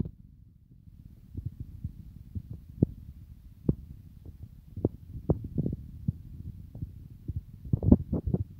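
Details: Low thumps, knocks and rustling handling noises inside an enclosure, without any clear animal call.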